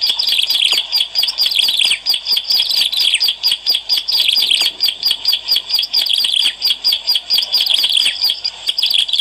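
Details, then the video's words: Bar-winged prinia song used as a lure recording: rapid, high, sharp chirping notes repeated in a dense, steady stream, about 38 phrases a minute, with no other sounds. "SUARA PEMIKAT CIBLEK ALANG-ALANG GACOR"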